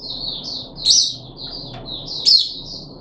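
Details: Puff-backed bulbul kept in captivity, recorded 14 July 2021 during its third day of deworming: a few high, wavering whistled notes, two of them punched out loudly with sharp, bright accents, over low room hum.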